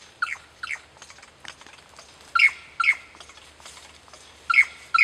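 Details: Lyrebirds imitating kookaburras and laser guns: loud, sharp two-part chirps with a quick bright rise and fall, delivered in pairs at uneven intervals, with softer clicks between them.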